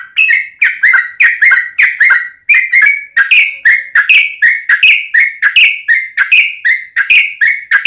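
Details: Continuous yellow-vented bulbul song for luring other bulbuls to sing: rapid, bubbly whistled phrases rising and falling, repeated without a break, loud and slightly distorted.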